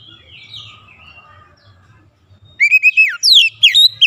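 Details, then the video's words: White-rumped shama lure song meant to provoke rival shamas to sing; quiet, thin whistling first, then a loud burst of quick descending whistled slurs in the final second and a half. "PANCINGAN KACER ANTI BISU mancing Kacer lain cepat emosi dan gacor"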